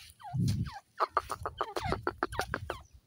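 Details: Francolin, a desi or dakhni teetar, in forest: a rapid run of short harmonic notes, sharply repeated about six times a second, with a few curving downslurred notes first and low rumbling noise underneath.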